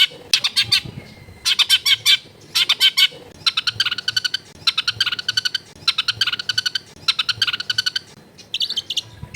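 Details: Long-tailed shrike recorded in a crowded residential area. Rasping, chattering bursts repeat in tight, rhythmic clusters, each about a second long, with brief gaps between them. Faint low background noise runs throughout.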